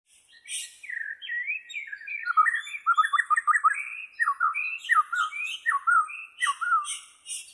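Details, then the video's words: Bornean white-rumped shama song: a varied run of rich, fluting whistled phrases, many sliding downward, delivered in quick succession with a few higher scratchy notes mixed in. "SUARA ASLI BURUNG MURAI BORNEO"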